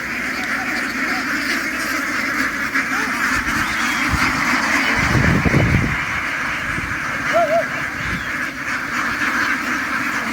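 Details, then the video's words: Massed chatter of a duck flock hurrying ashore and onto a ship on a farm, a continuous bee-like hum of quacks, with a burst of heavier thumping noise midway and a brief wavering call near the end. "The ducks ran ashore, making a noise like a swarm of bees as they boarded the ship."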